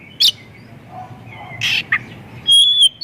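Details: Oriental magpie-robin song used as a lure to draw other magpie-robins into singing: a sharp high chirp, then a pause, a burst of rich warbled notes, and a long, steady, high whistle at the end.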